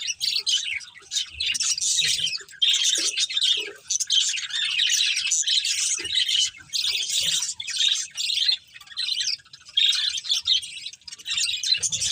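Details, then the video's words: Colourful budgies of a breeding pair family chirp in rhythmic bursts of high, raspy twittering chatter, each burst lasting about a second, separated by short gaps. "Colourful Budgies Chirping Sounds"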